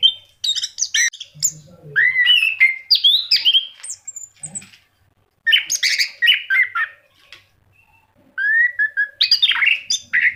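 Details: Orange-headed thrush in lively song, a lure for pet birds: dense varied phrases of whistles and sharp chips, separated by short gaps, with some rising slurred notes near the end.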